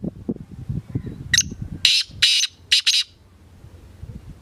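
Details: Black francolin calling: a run of harsh, grating bursts, one short then four loud scratchy notes in quick rhythm, after low rustling and handling noise.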